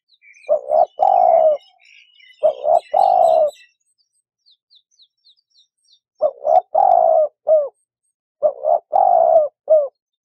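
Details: Dove cooing in repeated phrases, each a quick double note then a drawn-out mellow coo, sometimes with a brief tail note; faint high chirps of small birds between the first phrases.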